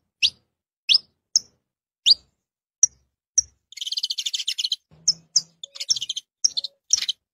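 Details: Saffron finch: a series of sharp, rising high chirps, then a rapid, even run of buzzy pulsed notes, followed by excited, twittering chirped phrases.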